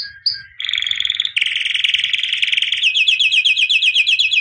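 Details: White canary, albino, a 2017 champion, sings brief high whistles, a level tone, then a dense buzzy roll that shifts into a rapid rhythmic chopping trill.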